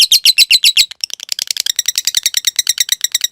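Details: Lovebird ngetik and ngekek material for training caged birds: loud grating chirps at the start, a brief gap, then quicker, softer scratchy notes building into a rapid high trill.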